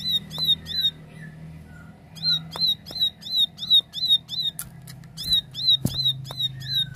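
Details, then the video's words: Plain prinia delivering a clear 'tembakan' song: rhythmic strings of buzzy, upslurred chip notes, around three per second, broken by brief gaps and a few low slurred chirps, over a humming background with scattered clicks. "Tembakan Gacor Jernih Ciblek sawah"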